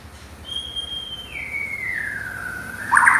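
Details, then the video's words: White-rumped shama, called a champion singer with a loud, rough voice: one long pure whistle that slides gradually downward over about two seconds, ending in a brief burst of higher notes, over soft background noise. "Kicau murai Batu,Suara kasar, Terbaik di kelasnya."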